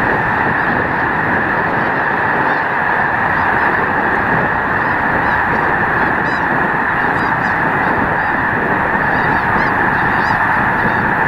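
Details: Over a million Snow Geese massed at Loess Bluffs National Wildlife Refuge on a beautiful 21 February 2020 day, producing a dense, unbroken roar of overlapping honks and yelps that never pauses through the whole stretch.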